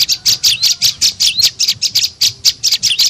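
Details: Prenjak lumut (tailorbird) lure call to draw birds in: short, bright, high chirps repeated about two or three times a second, with an occasional quick rising whistled note.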